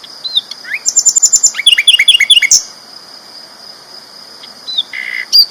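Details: Sikatan londo flycatcher, a champion bird, singing loudly as a training master recording: rapid series of high, sharp chirps and down-slurred notes, then quieter pauses and a final burst of thin high whistles.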